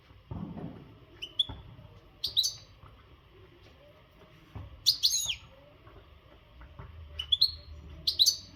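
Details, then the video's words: Untutored Maghreb-type European goldfinch in singing condition gives short, high, sharp twittering notes in small clusters separated by pauses of a second or more, with soft low background rumble. "تغريد الحسون"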